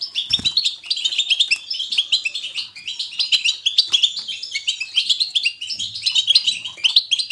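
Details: European goldfinch giving its energetic 'batbata' twittering, selected to motivate a goldfinch to sing: almost unbroken stream of fast, liquid, chattering notes with a soft low thump near the start.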